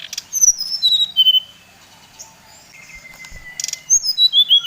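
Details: Lure song of a brown-chested jungle flycatcher from Bali, used to stir up other birds: high descending whistles, then a long level drawn-out whistle, ending in a fast run of sharp falling notes.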